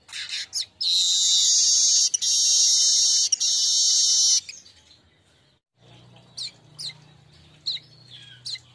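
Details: Lure song of a streaked weaver, played to prompt birds to sing: brief high chips, then a sustained harsh, buzzing hiss of about three and a half seconds, a silence, and a few thin, sharp notes.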